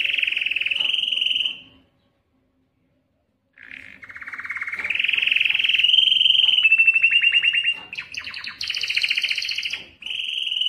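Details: Canary song meant to attract females for breeding, Belgian canary: a loud rolling trill, a two-second pause, then a long run of buzzy and clicking trills rising in pitch, ending with a sharp high rattle.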